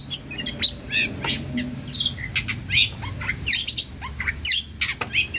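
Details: Long-tailed shrike in vigorous song packed with mimicked phrases, used to tutor other songbirds: quick bursts of sharp chirps, squawky notes and thin whistles, some sweeping steeply, with a faint low hum beneath.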